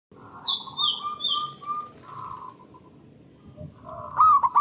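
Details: Local zebra dove singing loudly as a lure to stimulate other doves: smooth cooing notes near mid pitch, rising and held, with a warbled burst at the end, overlapped by higher descending whistles from another bird.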